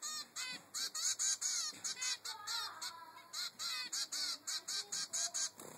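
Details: A zebra finch chick, three weeks old, insistently begs its mother for food with dense, rapid strings of harsh high-pitched buzzy notes, almost continuous at first, then pulsing steadily about three per second.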